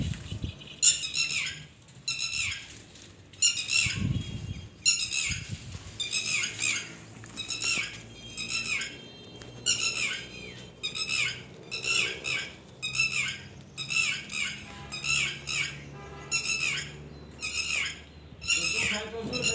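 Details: A red-wattled lapwing with its chicks and an egg, in hot sun, gives sharp, high, strident calls in rapid repeated bursts, about one each second.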